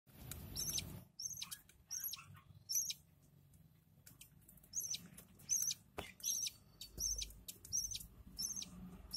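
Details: Lovebird chicks being fed by their parents give shrill, squeaky chitters in quick bursts over a second apart, with a faint rustle and soft background hum.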